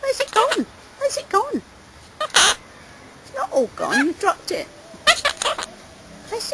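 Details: Captive monk parakeet talking indoors about his finished apple, producing raspy, nasal, word-like phrases with wavering pitch, clustered in quick bursts separated by short silences, plus a couple of sharp clicks.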